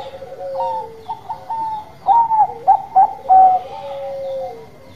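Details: Zebra dove of Bangkok type in lively song, short separated coos building into loud, bright rippling notes, then a long sliding coo fading away, with a second dove's lower cooing throughout.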